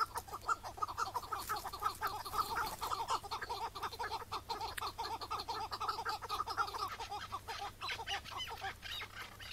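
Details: On a May 2017 morning in Turkey, a chukar partridge that came in to a decoy partridge, and was later caught and released, gives rapid, harsh clucking chuk notes, about two per second, in a steady chattering run with a faint background hiss.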